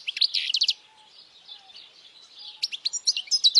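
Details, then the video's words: European goldfinch song offered for young birds to memorize and to draw females; short bursts of bright, high twittering notes separated by a quieter stretch of soft chatter. "Jilguero cantando fuerte para memorización los jilgueros /Goldfinch singing the best chirping sounds"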